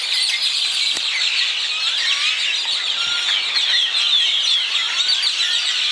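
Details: Many birds singing together at dawn in Zapotitlan de Mendez, Puebla, Mexico: a dense, steady layer of overlapping high chirps, trills and short whistled phrases with no pauses.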